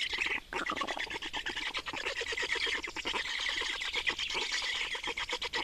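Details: Nest change and feeding of black storks in Estonia, 28 May 2019: a continuous stream of rapid, grating pulses with a hoarse, nasal quality, loud and sustained throughout.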